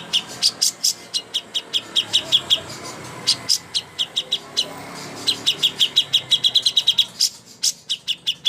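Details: Cucak hijau song meant as a master for contest birds: sharp high chirps in bursts, a short gap, then a faster, tightly packed chatter of rising notes before slower chirps return.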